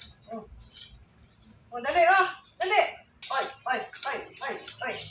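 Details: Pet Indian ringneck parakeet talking indoors as it follows its owner around: a few faint syllables, then a loud burst of speech-like sounds with a clear warbled tonal phrase, followed by a run of quick, clipped chattering syllables.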